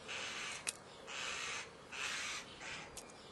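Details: Begging starling nestlings at feeding time: soft, harsh, hissy bursts, each about half a second long, with a couple of sharp clicks between them and low background noise.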